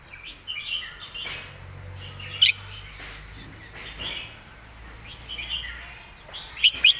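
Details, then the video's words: Red-whiskered bulbul song, with soft warbled phrases and two short, loud whistled bursts heard over a steady low hum and noisy background chatter. "วางสำนวนชัดๆ"เดินเพลงแม่บท ชัดถ้อยชัดคำ"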